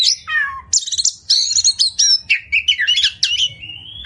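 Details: White-rumped shama (kacer) training song: a falling whistle, then rapid chattering notes and twisting whistled phrases ending in a long, level whistle, low hum beneath.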